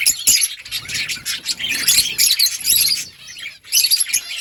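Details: Budgies chattering in overlapping high chirps and buzzy, scratchy warbles. The sound comes in loud bursts that break off briefly near the end before resuming, with a few soft low thumps underneath.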